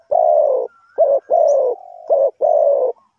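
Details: Cooing of a spotted dove kept to lure wild doves into a trap. Low, full notes alternate with short throaty bursts in a fast sequence, with a soft steady hum linking the middle notes.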